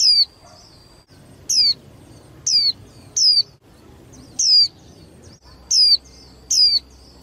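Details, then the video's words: Young female white-eye, used to stir males into singing and competing, gives seven thin, high, down-slurred call notes, about one each second, with a faint hum in the background. "KHUYÊN MÁI TƠ - Kích Trống Líu Đấu Sung Hơn Mỗi Trận"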